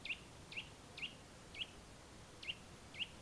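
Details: In the Valle del Tiétar near the Sierra de Gredos, a Eurasian nuthatch gives six clear, piping whistles, evenly spaced with a short gap before the last two, against quiet background hiss.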